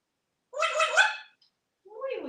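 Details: Pet talking parrot, hatched in 1997 and living in Texas, wearing a collar, vocalizing indoors while offered water. A short, harmonic, voice-like phrase is followed by a second rising-falling utterance, with no other sounds in between.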